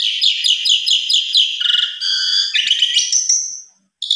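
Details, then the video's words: Short burst from an agitated Asian pied starling facing a rival: rapid pulsed chatter sliding into buzzy whistles, ending in a long high tone and silence. "Buktikan Putar 1 Kali Jalak Suren Lawan Langsung Emosi Bongkar Isian Suara Panjang"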